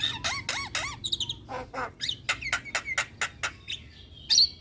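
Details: Lively young Javan myna repeating mewing, wavering whistles, then a string of dry clicks and squeaky slurs ending in a sharp bright squeal.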